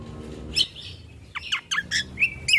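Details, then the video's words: Brief ruby-throated bulbul lure and tutor recording: a bright whistled note, then a rapid series of downslurred chirps and a final sharp whistle. "Pancingan Burung Dengan Suara Asli Burung Cucak Kombo"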